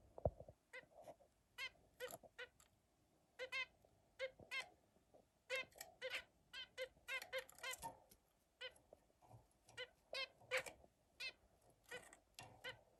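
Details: Zebra finch singing: a busy run of short nasal, buzzy notes with stacked harmonics, delivered in rapid clusters and quick repeated bursts, over a faint steady hum.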